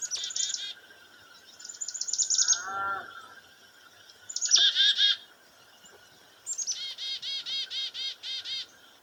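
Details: Black-capped Chickadee gives a chick-a-dee alarm call in response to a goshawk preying on a dove near a farmhouse: high thin notes, then about nine harsh, buzzy dee notes, with a lower falling call from another bird.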